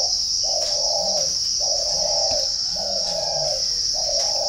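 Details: {'caption': 'Cooing of a spotted dove from a bird garden in Ba Vì district, Hanoi, Vietnam; four hollow, even coo notes spaced about a second apart, with a continuous high insect drone throughout.'}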